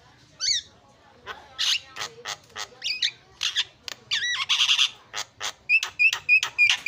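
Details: Black-winged myna song mixing squawks, upward whistled slurs and rapid chattering notes, ending in a series of sharp whistled notes repeated about twice a second.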